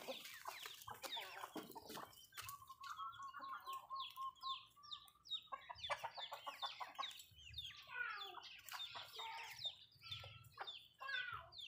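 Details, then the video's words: Malay chickens in a backyard, eating: dense overlapping chirps and quick descending peeps from several birds, a steady held whistle-like tone for a few seconds early on, and scattered clicking pecks throughout. "Chicken malayo asmr nice but nonuse sound eating food"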